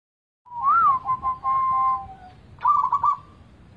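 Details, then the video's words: A zebra dove cooing phrase suited as a lure for doves that are not singing: a soft, mid-pitched short rising-and-falling whistle, a few level notes, then a quick burst of rolling, warbled coos. "cocok buat pancingan perkutut gaguk"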